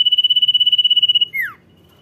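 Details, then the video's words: Close, loud common iora song in "dor nyiul" style, singing "gacor": a fast-pulsing high whistle held just over a second, then a bright sliding note falling sharply, over faint low hum. "CIPOW GACOR DOR NYIUL MANTUL"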